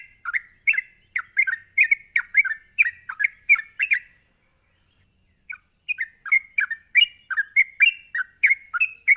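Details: A sooty-headed bulbul delivers its fast ropelan song to goad other bulbuls: lively warbled chirps in quick succession for about four seconds, a brief gap, then the chattering run starts again, with a faint steady whine above.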